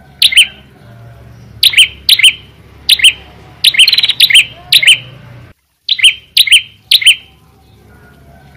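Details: Red-headed prinia singing vigorously and loudly: sharp, high chirps in quick bursts, some doubled or tripled, about fourteen notes over nine seconds with a brief pause midway, over a faint low hum.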